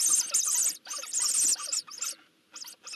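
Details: Eurasian hoopoe chicks being fed at a nest in Nagyberény, Hungary, in June: dense, hissing, high-pitched begging bursts in rapid runs, broken by short pauses.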